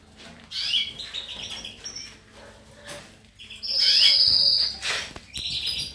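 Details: Goldfinch twittering interspersed with a long, sustained high whistled note near the middle, then more chirpy phrases.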